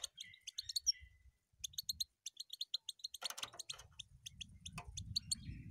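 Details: European goldfinch singing: a fast, liquid twitter of bright tinkling notes, broken by a short pause, then resuming with a scratchy buzzy burst mid-phrase; faint low rumble beneath.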